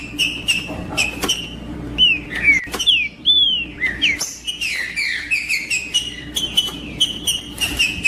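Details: Green-winged saltator song played to stimulate other birds to sing: loud whistled slurred phrases, many falling and rising notes repeated in quick succession, with sharp clicks between phrases.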